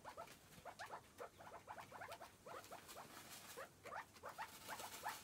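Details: Chukar partridge giving a fast, continuous run of short, clucking chuk notes, several per second and uneven in loudness, with some brief whistled tones near the end, over a faint background hiss.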